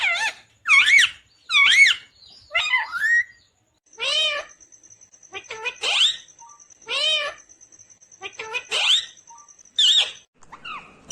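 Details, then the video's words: Talking rose-ringed parakeet, green in colour, delivers loud bursts of bending, slurred syllables and squeaky chattering phrases with brief pauses, a steady faint high tone behind. "Natural Sound of Talking Ringneck green parrot"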